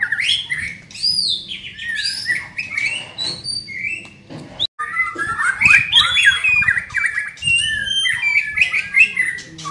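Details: Young white-rumped shama in training, delivering a dense, rapid run of high chattering and whistled notes, briefly broken by a short gap, then continuing in busy, tumbling phrases.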